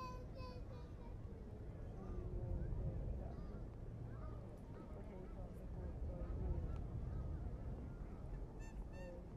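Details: In Hyde Park, London, UK, on 10 July 2015, Egyptian geese give a run of hoarse, nasal honks, several birds overlapping at a quick, uneven pace, over low city rumble and faint voices.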